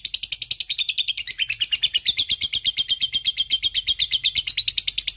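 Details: Lovebird giving a long ngekek chatter, used as a lure to get lazy lovebirds singing: a fast, unbroken string of sharp, high chattering notes, slightly descending then rising, held for the whole five seconds.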